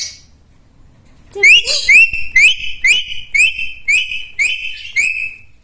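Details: Talking parrot whistling a rapid run of short upward-sliding whistles, about eight in a row at an even pace, loud and clear after a second of quiet.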